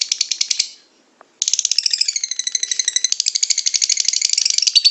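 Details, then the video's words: Lovebird ngekek chatter used as a lure: a short burst of rapid high rattling, a brief pause, then a long fast run of harsh pulsed notes with warbling pitch. "LOVEBIRD SINGING"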